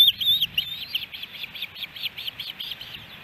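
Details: Osprey at a Missoula, Montana nest in Hellgate Canyon, July 13, 2018, on a three-fish day: an even string of short, high, piping chirps, roughly three or four each second, gradually fading.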